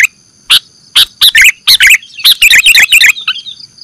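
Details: Bird-trapping lure of sooty-headed bulbul: spaced sharp chips building into a quick cluster of warbled, looping whistle notes, a faint steady tone underneath.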